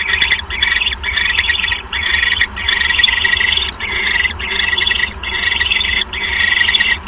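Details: Owl at its nest on the evening of 1 January 2015 during a mouse delivery; harsh, hissing raspy bursts in a fast chain, with a brief gap about every half second to second, over a steady low hum.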